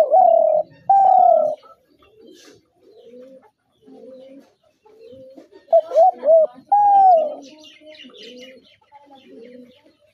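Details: Spotted dove used by hunters cooing in long, hollow, level notes, first a pair, then short quick notes and another long coo, with quieter low-pitched cooing from further doves between.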